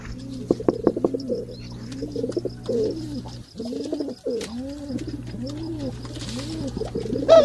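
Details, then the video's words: Male pigeons cooing while mating: low, arching coos repeated roughly every half second in a steady rolling series, with a few sharper clicks and a brief higher squeal at the very end. "Pigeon sounds when mating اصوات ذكور الحمام عند التزاوج مهم جدا"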